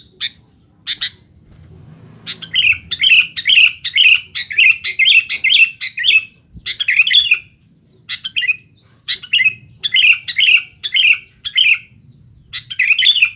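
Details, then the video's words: Sooty-headed bulbul, a vocal male, sings noisily to challenge rivals: bright whistled phrases near the top of its range, bursts of rapid chattering notes repeated roughly twice a second, with short pauses between runs. "suara BURUNG KUTILANG GACOR RIBUT MENEKAN LAWAN"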